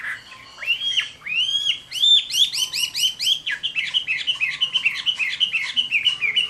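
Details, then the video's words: Summer midday fighting song from a Chinese hwamei: arched whistled notes repeated in a quick steady series, about three per second, growing louder and more ringing. "HỌA MI CHIẾN HÓT TRƯA HÈ"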